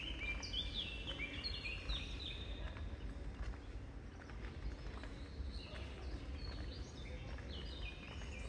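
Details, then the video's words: In the cloister garden of Santa Chiara Monastery in Naples' historic centre, a common blackbird sings two warbled phrases of fluty notes ending in higher twitters, over low city rumble and faint distant voices; serins and blackcaps also sing here. "Blackbird Song"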